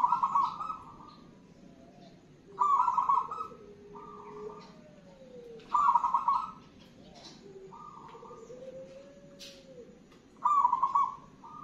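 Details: A singing zebra dove of local wild stock gives loud purring trilled coos every two to three seconds. Softer lower tonal notes and gliding whistles fill the gaps between phrases.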